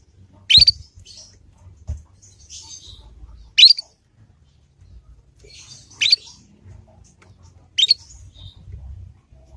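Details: Young Yorkshire canary learning the ngriwik sound, used as a lure to draw other canaries into answering and learning; four sharp rising chirps spaced two to three seconds apart over faint low background rumble.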